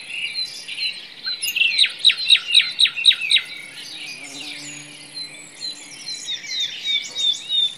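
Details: Forest nightingale song: a bright series of five sharp, down-slurred notes given in quick succession, then a quieter, varied twittering passage and a final burst of high chirps over a constant faint insect hiss.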